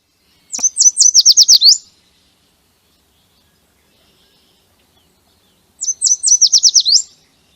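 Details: Yellow warbler song in spring in the Chippewa Valley: two bright, high "sweet, sweet, sweet, little more sweet" phrases of quick notes, each rushing to an emphatic ending, about five seconds apart in quiet surroundings.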